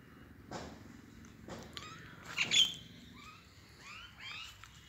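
A common myna gives a mix of sharp clicks, whistles and quick chirping notes in irregular bursts, with a faint background hiss.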